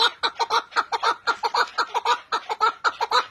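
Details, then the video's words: A male chukar partridge gives a fast run of hoarse, clucking chuk notes, several per second, in a steady rhythm with no other sounds. "Erkek Keklik Sesi"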